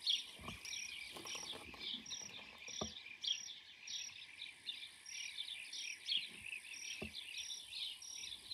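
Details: Blue-cheeked bee-eater colony in Turkey in May 2024, calling nonstop with many overlapping rolling, liquid, trilled notes, over a steady high insect hiss and a few soft knocks.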